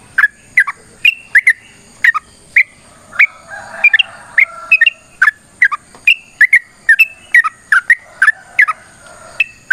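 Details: Fighting song of a yellow-vented bulbul, a lure to draw replies from other birds: a rapid run of bright, gurgling two-note phrases, closely spaced and varied in pitch, over a thin continuous high hiss.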